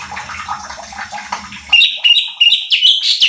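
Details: Cucak cungkok bulbul recorded to lure and train contest birds: a stretch of murmuring, watery background noise, then a burst of loud, clear whistled phrases, short slurred notes in quick succession.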